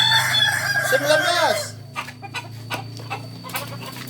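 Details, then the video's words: A Kukuak Balenggek rooster at Ampangkualo on a Sunday gives a sustained ringing crow that ends in a sharp falling slide after about one and a half seconds, followed by quieter background clatter and voices. "ayam kukuak balenggek"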